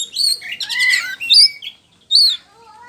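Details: Oriental magpie-robin, poci form, pouring out loud lure song meant to provoke an answer: rapid warbled trills and rich whistled notes, a short pause, then a high slurred phrase.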